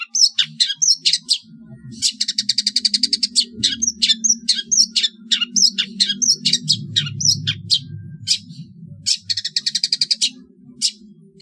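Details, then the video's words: Competition-training masteran of a long-tailed shrike: quick sharp chirps alternating with fast buzzy rattling trills, a steady low hum underneath. "MASTERAN CENDET PALING TOP DAN ANDALAN MATERI BURUNG LOMBA | MASTERAN TROTOL CENDET JUARA"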